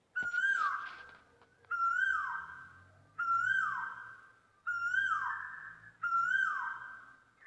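An Asian koel gives five loud, clear whistled notes, each about a second long, spaced roughly every one and a half seconds, over a quiet background.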